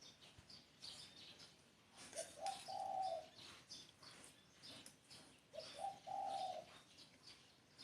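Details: Two spotted dove cooing phrases about three and a half seconds apart, each starting with one or two brief low notes and ending in a sustained rough coo, with high bird chirps throughout.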